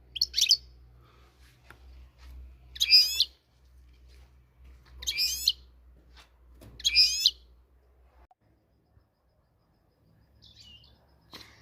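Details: European goldfinch, called the Moroccan goldfinch, uttering four brief, high, buzzy twittered phrases spaced roughly two seconds apart. Quiet follows, with faint distant chirps and a low hum.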